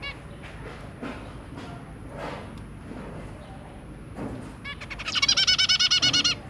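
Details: Zebra finch family with three babies, 23 January 2022: quiet faint calls at first, then a sudden rapid, regular string of loud nasal calls over the final second and a half.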